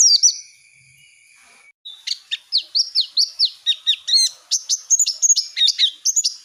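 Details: Oriental white-eye singing, used as a lure for young birds learning forest-style song: after a brief pause, a lively, varied chatter of high chirps and twittering notes pours out steadily, quickening and rising toward the end.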